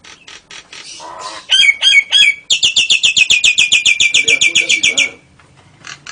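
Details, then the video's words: Ngekek-style song of a Nias hill myna imitating lovebird and canary. Soft chatter gives way to three loud slurred whistles, then a fast ringing trill of evenly repeated notes for about two and a half seconds. "Kicau Jalak Nias Gacor Istimewa Variasi lovebird & Kenari AF NGEKEK"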